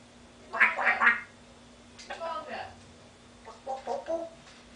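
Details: Pet African grey parrot mimicking laughter and duck quacks indoors: three loud, voice-like bursts, then softer throaty quack-like notes after a pause. A faint steady hum sits underneath.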